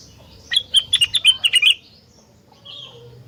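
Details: Rengganis singing energetically, a song said to make other rengganis join in. About nine quick, ringing chirps run in a tight series over roughly a second. A soft, fainter note follows afterward.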